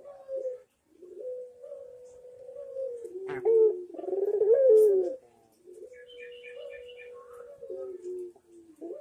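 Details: Barbary dove cooing steadily on a training master recording: long, smooth, level mid-pitched coos held for about a second each, with a louder, rougher rolling coo in the middle and a sharp click or two.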